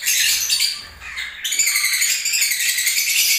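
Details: Breeding-season lovebirds singing, a dense run of shrill, rasping twitters with rapid pulsing texture, barely pausing over a few seconds.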